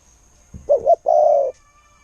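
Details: Spotted dove used as a decoy bird, praised for a fine 'koo-ang' style voice: two quick rising notes and then one long, even, mellow coo, clear against a quiet background.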